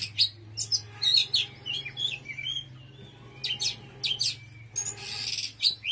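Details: Oriental magpie-robin giving an intense, varied song of piercing whistles, warbled slurs and harsh rasping bursts, phrases spaced by short pauses, over a constant low hum.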